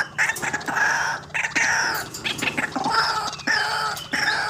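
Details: White-breasted waterhen, calling as a lure for trapping birds, utters loud, rasping, nasal croaks in long and short bursts, repeated almost without pause.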